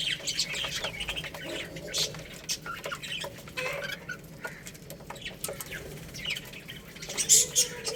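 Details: Young chicks feeding on rice give rapid, high-pitched peeps and chirps, uneven and overlapping, with soft clucking and scuffling beneath.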